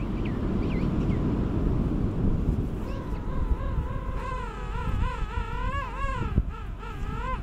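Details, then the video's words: Penguin calling: a long, wavering harmonic call with a rhythmic rise and fall that starts midway and runs to the end, over strong wind rumble and microphone buffeting. "صوت البطريق"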